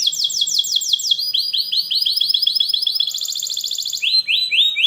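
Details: Canary song used to teach young canaries to sing: dense rolling trills of rapid, repeated downslurred notes, switching pitch between sections, with a slower run of looser notes at the end.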